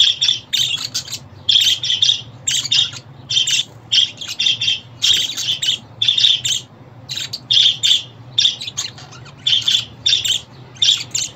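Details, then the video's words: Pet budgerigar calling sounds to excite a home budgie: a steady run of short raspy chirps and squeaky notes, roughly two bursts per second, continuing evenly for over ten seconds above a soft low background hum. "Muhabbet kuşu ötüşü, muhabbet kuşu çağırma sesleri!"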